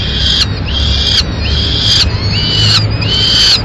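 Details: Madrid peregrine falcons at feeding time, the male having brought a swift for the chicks. Five grating, slightly rising calls repeat about every 0.8 seconds over a low background rumble.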